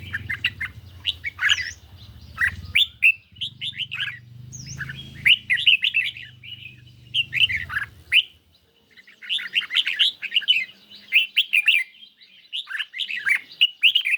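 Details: Caged red-whiskered bulbul dueling a phone recording on a mildly sunny day: long runs of loud chirping and warbled notes with occasional high whistled slurs, over steady low droning that fades after eight seconds.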